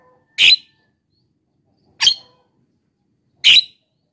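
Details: Lure recording of a Javan myna meant to attract wild birds: three loud, rasping squawks evenly spaced roughly every one and a half seconds, nothing else audible.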